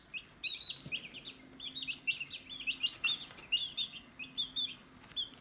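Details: A busy chorus of chicks at a feed dish peeps almost without pause. Many high, short, overlapping chirps run in rapid strings through the whole clip, and a faint low hum sits beneath them.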